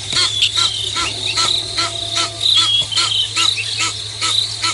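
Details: Fighting Egyptian geese at dawn, 5:30 AM on 24 September 2022 at Nkorho; a series of rasping, pulsed honks at a regular pace, with a continuous shrill insect hum and a low background rumble.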